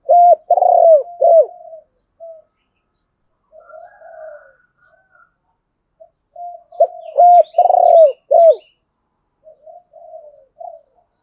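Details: Spotted dove voice used by keepers to provoke a rival to fight. Two loud coo phrases about seven seconds apart, each a hoot, a vibrating rolled coo and a downward-curving note, with faint soft coos between.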